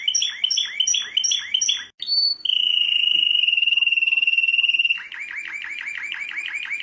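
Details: World-champion canary song: quick repeated chirps, a short pure whistle, a sustained pulsing roll, then a fast series of down-slurred notes repeated several times per second.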